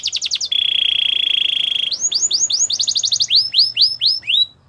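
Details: Canary singing to woo other canaries and for training: a few rapid notes, then a long sustained, even whistle, then a string of upward-swooping whistles, over a faint low hum.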